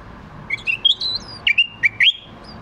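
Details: Bulbul in a bird market: bright chirped notes, a short rising run followed by several sharp clipped phrases, over a low steady background hum.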